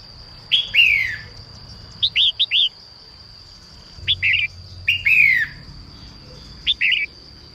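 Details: Morning song of a female red-whiskered bulbul to draw males into singing: falling slurred whistles interspersed with triplets of short sharp chirps, spaced unevenly over several seconds, a thin continuous electronic tone behind.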